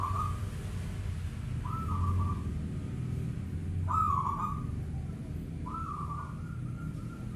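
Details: Local zebra dove calling at night: four short trilled coos, each rising then holding a level purr, roughly every two seconds, over a steady low rumbling hum.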